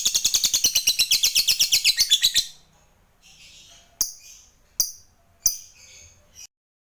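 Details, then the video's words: Lovebird, a fighter-type bird, in long rapid ngekek trill used to prompt other lovebirds to trill: a fast run of about twenty high chattering pulses lasting over two seconds, then three sharp separate notes after a pause. "Suara Burung Lovebird ini PINTAR Sekali Bikin Labet Cepat Ngekek"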